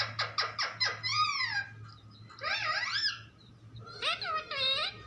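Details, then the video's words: Parrot talking: four rapid rasping notes lead into arched, wavering, voice-like phrases, a pause, then a louder warbling phrase, over a steady low hum. "Funny parrot talking video | mitthu videos | mittu ki awaaz"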